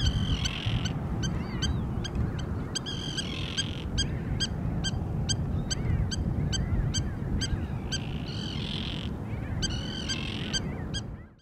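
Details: Spur-winged lapwing (Vanellus spinosus) in Thessaloniki, Greece, April 2024, giving sharp, metallic, repeated calls in quick bursts over a steady low rumble of wind or distant noise.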